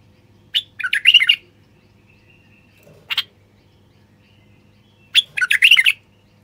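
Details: A male common bulbul, Moroccan type, sings to prompt wild birds into song and mating: a fluttering warbled phrase, a lone sharp note, then another warbled phrase, in near silence.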